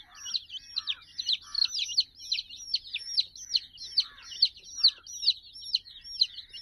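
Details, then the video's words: Domestic chicks, sixty of them, frolicking by a teddy puppy; rapid, high, sharply falling peeps repeated more than twice a second in an eager, uneven stream, with a few softer lower notes. "silly chicks chirping"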